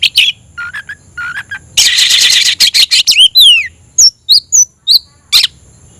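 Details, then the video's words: Kept Oriental magpie-robin: short mid-pitched whistles, then a loud harsh rattling burst, followed by clear falling slurred whistles and spaced single sharp notes. "suara kicau burung Kacer"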